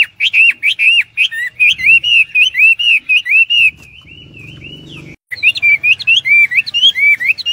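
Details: Hwamei in full song, a loud run of rich, looping whistled phrases repeated rapidly, each note bending up and down, broken by a short pause with a faint low hum before the whistling resumes.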